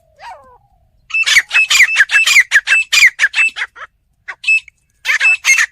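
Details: A short squeaky descending note opens, then a village fighting partridge (teetar) bursts into a rapid series of harsh, scratchy calls that slow toward the end, pause, and resume in a brief final flurry.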